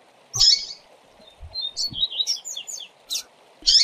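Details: Double-collared seedeater training tutor song: a loud buzzy note opens a rapid series of high whistled slurs, then a sharp downward note and another buzzy burst, with low background hum.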